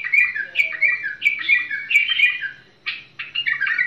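A bulbul sings a lively run of bright, warbled and chattering notes that rise and fall, with a brief pause near the end. There is no other clear sound.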